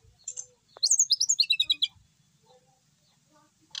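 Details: Settled captive brown-chested jungle flycatcher in steady full song: a brief high chirp, then a quick descending series of about ten sharp, bright twittering notes, followed by near-silence and faint low background noise.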